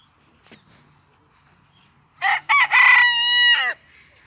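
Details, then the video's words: Cochin rooster in a park giving one full crow after a few seconds of quiet: two short choppy opening notes, then a long steady sustained note that drops sharply at the end, lasting about one and a half seconds. "Cochin rooster crowing"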